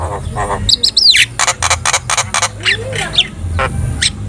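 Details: Tutor song of a Javan myna, played to make other birds respond: quick high chirps, a falling whistled slur, then a series of harsh, evenly spaced buzzy notes and scratchy squawks.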